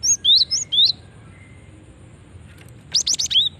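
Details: Female cinereous tit calling to lure other birds, giving a group of four high, thin, upslurred chirps, a pause, then a fast cluster of sharp overlapping chirps ending in a short whistled note.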